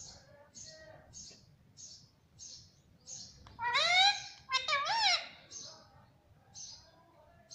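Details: Parrot kept as a pet, taught to say "mummy": steady high chirps about once a second, then two louder speech-like voiced words in the middle.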